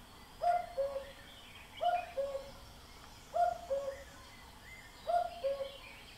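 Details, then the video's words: A common cuckoo gives its clear, falling two-note 'cu-coo' four times, about every one and a half seconds, over a soft background hush. "cuckoo sound布谷鸟的叫声"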